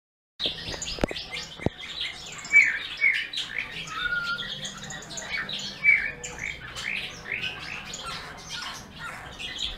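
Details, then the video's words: Eurasian bullfinch singing: a busy stream of short chirps, squeaky notes and brief whistles, with a few longer level whistled tones mixed in. The notes overlap densely throughout, and a couple of sharp clicks come near the start. "Bullfinch singing"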